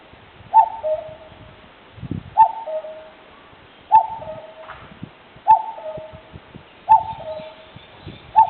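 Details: Wild common cuckoo in a forest with other wild birds, filmed with a digital camera, gives six regular two-note calls, high then lower, roughly every one and a half seconds, with some soft rustling and thumps between.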